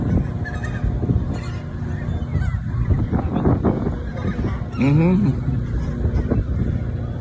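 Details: Emperor goose calling: scattered honks, then one loud nasal honk that rises and falls in pitch about five seconds in, over a steady low rumble with faint voices.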